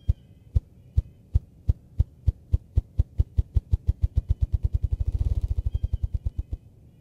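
A ruffed grouse drums: deep, muffled thumps begin slowly, about two per second, then speed up into a fast low roll before fading.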